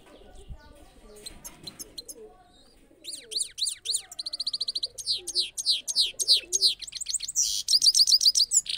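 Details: Trained saffron finch singing in a cage: quiet room noise for three seconds, then a loud, fast song of high sweeping, downslurred whistles and buzzy repeated notes, about three or four per second, ending in a rapid bright trill.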